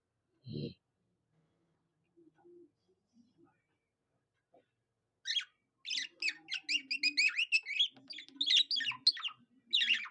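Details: Budgerigar imitating a cockatiel's song: a single low thump, several quiet seconds, then a rapid run of clicky, buzzy, chattering notes in quick succession to the end.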